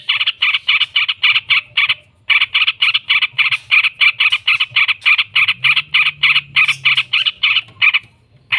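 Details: Yellow-vented bulbul (trucukan), a lure recording for training caged birds to call back, with long ngekek chattering: harsh, buzzy bursts repeated about three to four times per second, briefly pausing near two seconds, low hum beneath.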